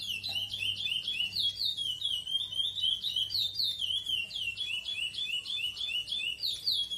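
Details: Breeder-kept chestnut-bellied seed finch singing the classic praia song style: a continuous flowing run of clear whistled notes, steadily repeated slurred phrases with no pauses, with a faint low hum underneath.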